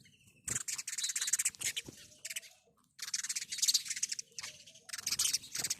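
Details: House sparrows chirping in long, busy runs of shrill, rapid notes. There is a short lull in the middle, and a faint lower whistle sounds now and then in the background.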